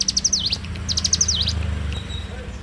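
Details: Two quick song phrases from a bar-winged prinia in the morning, each a run of high ticking notes followed by a falling then rising slur. A steady low hum lies underneath and fades out after the second phrase.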